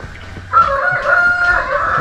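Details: Rooster crowing nearby during a visit to Deolo Park, Kalimpong, West Bengal, India; a loud, drawn-out crow with a rising start and a long level middle, following quieter background sounds.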